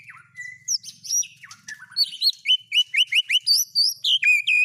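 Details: White-rumped shama singing borrowed fill-ins of speed cililin, canary and lovebird: thin flat whistles, then a brisk, regular series of bright, high chirps, about four a second.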